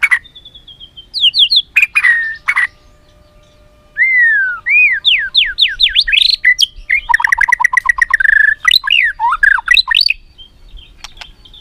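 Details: White-rumped shama song used as a training lure for other shamas: a loud, varied run of rapid whistled upslurs, fast trills, clicks and sharp squawk-like notes in quick bursts, with brief pauses between phrases.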